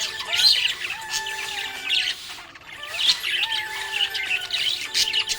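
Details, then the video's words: A happy budgie keeps up busy high-pitched chatter, rapid scratchy twitters and squeaks rising and falling in bursts, with a brief lull midway; faint steady tonal lines sound underneath. "Happy budgie chirping sound"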